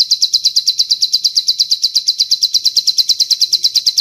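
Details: Bar-winged prinia training song containing long cililin phrases: sharp, high chips delivered in a quick regular series, close to seven per second, without pause.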